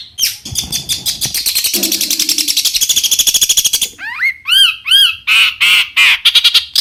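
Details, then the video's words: Long-tailed shrike singing to stir other shrikes into answering: a fast rattling trill of dense, even pulses for about three seconds, then clear arched whistles and harsh high notes. "cendet gacor Variasi BIANGNYA bikin cendet lain emosi ikutan bunyi langsung NYAUT"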